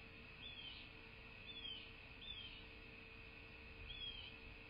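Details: Bald eagle at its nest in a quiet landscape of southwest Florida, picked up by a nest camera on 11/10/2023: four short, high, downslurred chirps spaced about a second apart, with steady electrical hum throughout.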